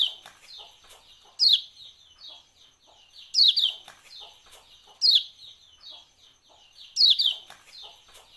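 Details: Kecial kuning, a Lombok white-eye, giving ciak-ciak calls used to prompt kept birds to sing: bursts of sharp, high, chattering chips repeated about every two seconds, four bursts in all, with quieter twittering between.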